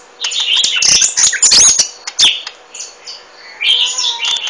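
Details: Golden-fronted leafbird giving bursts of quick, high chirps and squeaky twittering notes, then a short gap before a softer chattering phrase. Possible light wing flutters occur among the calls.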